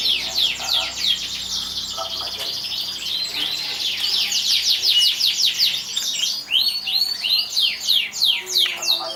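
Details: Atlantic canary that won a 2014 contest delivers a sustained high song of rapid repeated sweeping notes, about three per second, in rolling trills with brief changes of phrase, and a faint low hum underneath.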